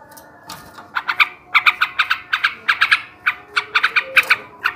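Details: Sooty-headed bulbul male in ngebrem ngekek garuda style, meant to provoke rivals and raise breeding urge. After a soft start, crisp doubled and tripled chattering notes repeat in quick even groups.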